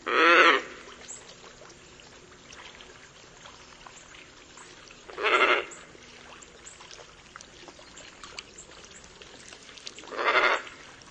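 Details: Scarlet ibis producing three loud, coarse honks about five seconds apart, each brief and raspy, separated by near silence with a soft background hum.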